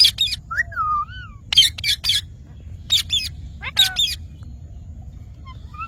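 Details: Green parrot mixing harsh squawks with a looping whistled note that dips and rises, the squawks coming in pairs and triplets.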